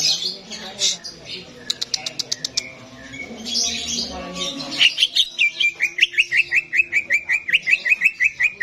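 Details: Contest-arena simulation of greater green leafbird song: mixed chirps and sharp ticking notes at first, then a steady, loud series of short, clipped whistles repeated about three per second.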